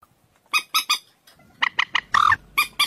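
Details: Common moorhen (Gallinula chloropus) call: harsh, nasal squawking notes, three quick ones, then a faster run of about six more including one drawn-out squawk, over a faint background hiss.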